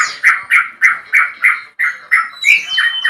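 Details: Male Yellow-vented Bulbul calling a rival, with a long rapid 'ropel' delivery used as a lure recording: harsh squawky notes repeated about three times per second, steady and loud, with sharp upper overtones and a brief gap midway.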